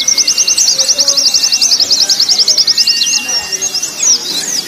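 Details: White-eyes on a contest-training recording. A rapid, evenly pulsed high trill lasts about three seconds, then gives way to scattered, softer chirps and twitters.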